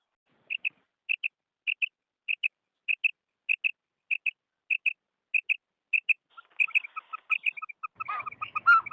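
A female quail gives short, high paired notes about every 0.6 seconds, then a busier run of lower chirps and trills.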